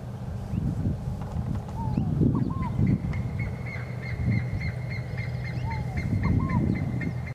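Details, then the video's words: Scaled dove (Columbina squammata) giving a low, husky phrase of a few clipped notes, repeated about every four seconds, over a thin steady high-pitched insect drone. "Fogo-apagou (Columbina squammata)"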